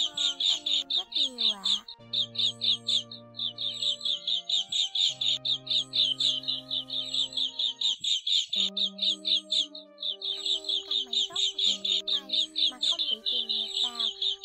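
Little green bee-eater giving quick, high, trilled chirps repeated about twice a second, over a steady backing of sustained musical tones.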